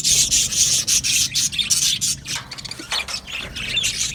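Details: Colony of budgerigars kept in an aviary, chirping and singing in loud, harsh, rhythmic bursts of high chatter, several birds overlapping, easing slightly toward the end.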